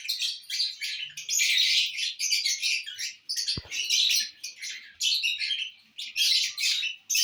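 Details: Lovebirds feeding on corn on the cob, chattering almost without pause in harsh, high, buzzy squeaks that pulse in rapid bursts, with one sharp tap midway.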